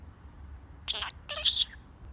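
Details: A pet budgerigar talks in two quick, high, scratchy bursts that imitate human speech, with phrases like "God bless you" and "give me a kiss".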